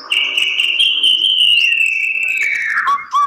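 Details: Captive-bred white-rumped shama holding one long, clear, high whistle for nearly three seconds, slowly sliding lower before dropping sharply at the end into a short lower note.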